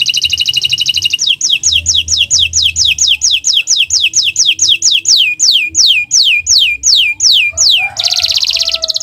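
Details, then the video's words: A canary sings a loud, fast series of bright whistled sweeps, each dropping sharply in pitch, about three a second, broken by rapid trills at start and end. "Gacor Owor-owor uhuii"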